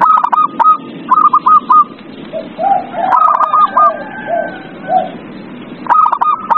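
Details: Zebra dove lure song for prompting silent doves: short runs of staccato cooing notes at the start and end, with softer, lower drawn-out coos from other doves in between.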